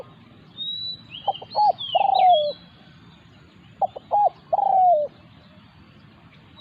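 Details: A spotted dove calls during a decoying encounter with a wild territorial bird. Two phrases of short stuttering notes each end in an extended descending coo. Thin high chirps of other birds are heard early.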